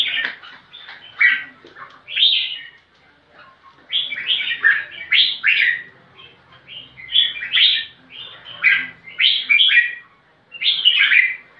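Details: Red-whiskered bulbul challenging for a rival to fight with a long series of quick, chirpy, warbling phrases. The notes come in clustered bursts, several per second, with only short gaps.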